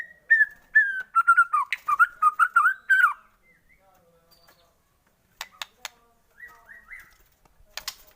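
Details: Shama song used to excite other shamas into singing: a run of fluty, wavering whistles for about three seconds, then quiet with scattered clicks and a few soft whistled notes.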